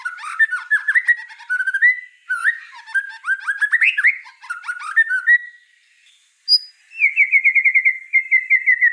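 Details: White-rumped shama singing 'gacor' style, bursts of rich varied warbles and upswept whistles separated by short gaps, a brief pause, then a steady rapid series of repeated whistled notes to the end.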